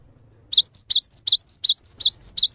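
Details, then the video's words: After a brief hush, a cinereous tit (gelatik batu) delivers six loud, rapid phrases, each a rising whistle followed by a high, ringing note, in a steady, bouncy rhythm. "GELATIK BATU GACOR | WUCIT PANJANGNYA BIKIN GELATIK LAIN JADI TERPANCING UNTUK IKUT BUNYI"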